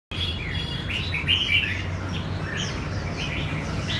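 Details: Red-whiskered bulbul song during practice for a singing contest: short bright chirped and warbled phrases, several overlapping, with a louder burst near the middle, over a constant low rumble of background noise.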